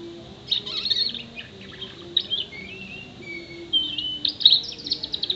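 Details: Canary, six months old, performing mimicry song of imitated sparrow, prinia, white-eye, blackthroat and whistle sounds; high rattling trills, then smooth drawn-out whistled notes and a closing burst of twitters.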